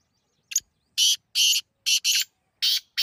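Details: Partridge call phrase: a short sharp lead note followed by loud raspy syllables in pairs, harsh and buzzy, repeated at steady intervals over three seconds against a silent background.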